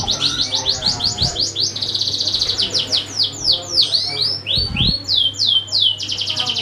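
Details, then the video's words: Canary song meant to prompt other birds to sing, rapid high chirps in fast repeated series with a buzzy trill section and swooping downward notes, a low hum throughout and a short dull bump partway through. "Suara kenari buat pancingan burung lain"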